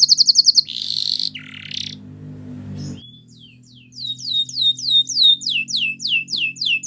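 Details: Belgian canary song meant for training: fast repeated high notes, a buzzy rolling trill and a lower rasp, a quiet gap with a low background hum, then a series of clear descending whistled swoops.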